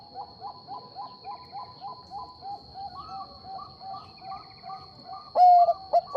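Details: Bangkok-type zebra dove song used to lure an answering rival. Soft rapid coos pulse steadily for five seconds, layered with a second, higher series, before a loud held coo and short notes break in at the end. A steady high whine persists.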